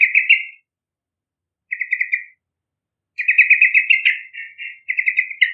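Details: Energetic Yellow-vented bulbul song for luring young birds. Quick, rattling runs of bright, bubbly notes come in bursts separated by short silences, ending in a long unbroken chattering phrase.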